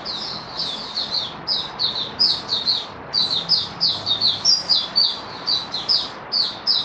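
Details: Kept white-eye, dewormed and given health supplements, singing on 18 May 2022: an unbroken, rapid series of thin, high, chattering notes over a faint indoor hum.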